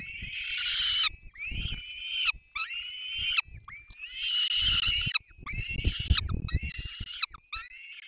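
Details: Family feeding at a peregrine falcon nest, Barycz Valley, 3 May 2024, with chicks begging: repeated long, strained, nasal wails separated by short gaps, over low bumping and rustling in the nest.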